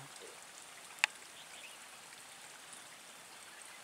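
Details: Soft steady hiss with a single sharp click just after one second and no animal voice.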